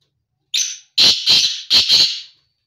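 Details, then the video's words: Black francolin calling: a short harsh note followed by four loud, grating, broadband syllables in two pairs, each harsh burst about half a second long, with no other sounds. "کالا تیتر کی آواز"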